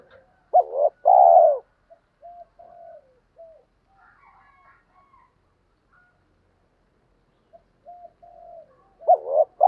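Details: Spotted dove lure call to provoke wild doves: a loud rolling coo phrase, several quiet coos and faint chatter, then another loud phrase at the end.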